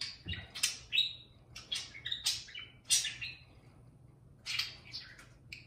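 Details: Warbling parakeet kept as a pet, singing to a beer can: quick chirps and slurred whistles in bursts, a pause of about a second midway, then more bright chatter.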